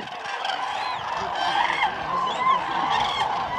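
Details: Many common cranes calling together at Lake Hornborga, overlapping bugled and trumpeting notes, some with rising and falling inflections, forming a steady unbroken din.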